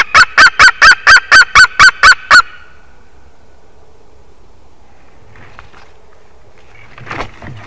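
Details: White-tailed eagle at a nest in Durbe, Latvia, filmed on 13 August, an eaglet's fourth day in the nest: ten loud, harmonic yelping notes repeated evenly about twice a second, then quiet with faint rustling and a soft thump.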